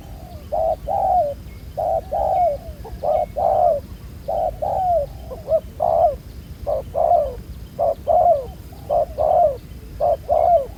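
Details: Spotted dove, a wild-caught bird with a black neck collar noted as a fairly good cooer, recorded during ground-decoy trapping: mellow low coos in paired phrases, a short note then a longer falling one, repeated steadily over a low rumble.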